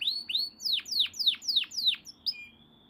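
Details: Canary, small caged songbird, delivering a series of six descending whistled slurs about four per second, ending in a thin sustained note.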